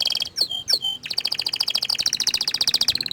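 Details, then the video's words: Orange frost canary singing: a few high sweeping whistled notes, then a fast, even trill of bright buzzy pulses repeated many times per second, holding one high pitch to the end. "Kenari Oren Frost ini Ingin Menunjukan Kicauan nya yang Mantul"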